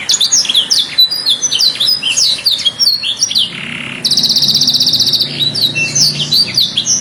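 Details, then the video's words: Canary, called a master singer, calling friends and fighting; quick varied chirps and slurred notes tumble over one another, broken by a soft low buzz and a bright rapid trill, with faint background hum. "O SOM DOS CANÁRIOS MESTRE CHAMANDO AMIGOS E BRIGAS"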